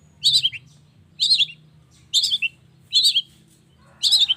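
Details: Morning lure sound meant to set long-tailed shrikes singing: five loud, scratchy chattering bursts, each about a third of a second, repeated roughly once a second, over a soft low hum.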